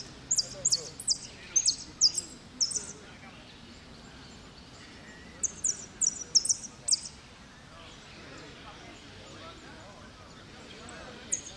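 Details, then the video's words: Repique-style goldfinch song from a second-place showing at Merlo on 3 January 2016: rapid strings of thin, high chips in two separate phrases with a quiet gap between, and a final note at the end. "Blanco de repíque 2do en Merlo"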